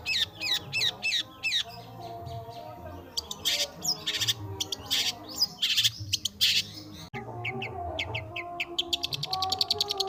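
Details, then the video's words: Long-tailed shrike (pentet/cendet) singing nonstop: hooked chirps, then harsh scratchy bursts and rasps, ending in a fast high twittering trill, with background music throughout. "Dengerin Burung Pentet/Cendet ini Bisa Gacor Sekali !"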